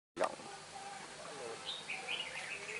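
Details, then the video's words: Red-whiskered bulbul with a bell-like voice, heard while being trapped: after a sharp knock, a few clear rising and falling whistled phrases around the middle, with a man talking nearby. "Bẫy chào mào bổi cực đẹp. giọng chuông."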